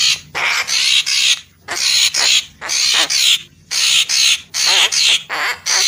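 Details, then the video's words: Papuan magpie-robin sound used as a lure: loud harsh rasping bursts, each about half a second, repeated roughly once a second with short gaps between, over faint low hum. "Suara Pikat Burung Murai Papua Full Gacor"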